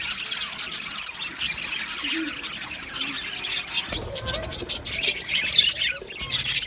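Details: Male budgerigars in a colony aviary on 8 December 2025 produce steady, high-pitched warbling chatter with raspy squawks mixed in, a little louder and busier toward the end.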